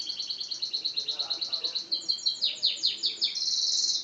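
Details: Yellow canary sings a steady rapid trill of evenly repeated high notes, then shifts to a slower series of downward-sweeping notes and ends on a dense buzzy high roll.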